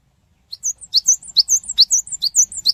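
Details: Lure song of a cinereous tit, meant to make other birds respond quickly: silence, then a steady burst of piercing, high-pitched slurred notes tumbling rapidly in repeated couplets until the end.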